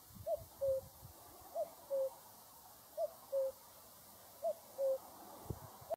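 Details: Repeated cu-coo of a cuckoo: a short upper note, then a longer lower note, given four times at roughly 1.4-second intervals against a calm background with one brief knock near the end.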